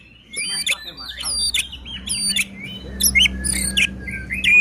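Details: White-rumped shama song used to provoke other shamas into singing and agitation: rich series of whistled and chirping notes with sharp rising and falling phrases, some harmonics, over a steady low hum.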